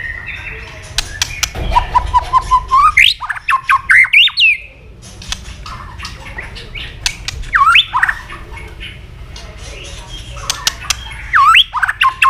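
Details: Fighting song of a white-rumped shama that has been stimulated to sing while flicking its tail. It gives long rich phrases of fast rising whistled sweeps and chatter, pauses, then repeats similar rising whistled bursts.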